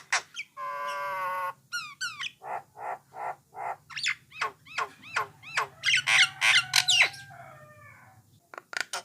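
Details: Jalak Nias or brown starling song, used to prompt other starlings to sing: a varied run of harmonic whistles, sharp downslurred notes repeated roughly three per second, a buzzy rising trill, and a steady low hum underneath.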